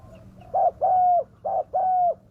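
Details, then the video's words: Spotted dove lure voice, meant to make wild doves come down: two phrases, each a brief coo followed by a longer, even, slightly falling coo. "pikat burung tekukur suara ganas"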